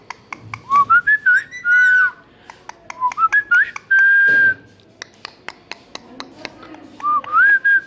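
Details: Pet Indian ringneck parakeet talking and mimicking speech: clear whistled notes rising and wavering, some held for about half a second, set among sharp repeated clicks and taps in a small room.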